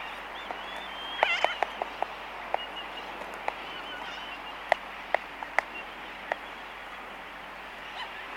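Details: Laysan albatross in a colony, mainly clicking: sharp, dry clicks scattered irregularly, some in quick pairs, with a brief whistled call early on over a steady hiss of wind and distant sound.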